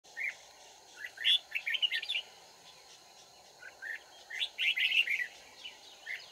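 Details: Red-whiskered bulbul singing during a trapping session on 31 March 2019, Vietnam; two bursts of quick, chirpy, whistled notes rising and falling, the first early on and the second after a short pause, over a steady background hum.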